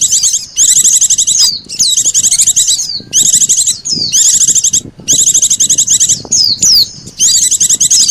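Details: Oriental white-eye and sogon lure sound for attracting birds: loud, continuous high twittering in repeated bursts of fast rattling chirps and down-slurred whistles, with only short breaks and a faint background rumble.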